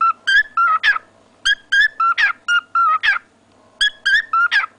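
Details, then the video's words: Pet cockatiel singing a learned whistled tune: clear mid-pitched whistled notes in rapid groups of three or four, each group ending in a sharp rising-falling sweep, repeated several times over a faint steady hum. "My dear cockatiel Coco's song"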